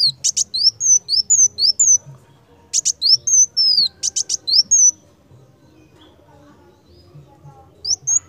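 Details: Purple-throated sunbird singing energetically as a master recording for song training: bursts of sharp high clicks followed by thin, high, downslurred whistles, phrases separated by brief pauses, faint low background hum.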